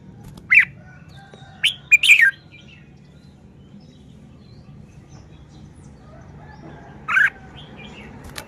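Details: Red-whiskered bulbul song phrasing, heard as a sharp note, then a quick burst of slurred whistles, a long silence, and a final bright warbled phrase, over quiet background hiss.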